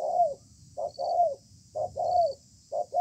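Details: A wild spotted dove, described as very persistent, calls in a contest under a communal house in the spaced 'bài thưa' style. Loud, close, low coos come in pairs, short then long and sliding down, about once a second, over a high insect hum.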